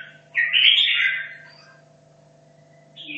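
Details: Caged red-whiskered bulbul from Hanoi, 2.5 years in the cage, practising for a singing contest: one loud, rippling, slurred phrase of about a second, then near quiet with a low hum and a final chirp.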